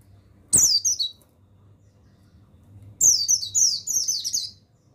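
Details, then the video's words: Male mountain white-eye of the buxtoni form, played as a training recording to stir other white-eyes into song: two bursts of thin, high, downward-sliding chirps, each opened by a sharp click, with a faint low hum underneath. "Begini Suara Pemasteran yang Untuk Pleci Bustomi Bahan Bikin Burung Pleci Bustomi Gacor Ngalas"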